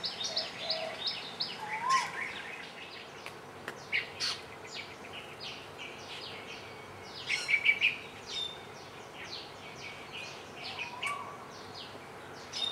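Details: Asian glossy starlings on Ko Lanta, Thailand, keep up a busy chatter of sharp, high, metallic chips and short whistles, several birds calling over one another against a low steady hum.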